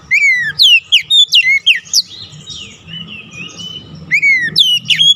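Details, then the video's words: Oriental magpie-robin song played as a lure and stimulant for a stressed kacer that has gone quiet: a rapid sequence of loud, varied, harmonic whistles sweeping up and down, a softer warbled middle section, then another loud burst. "KICAUAN PEMIKAT DAN PERANGSANG BUNYI | Kacer stres macet bunyi langsung gacor"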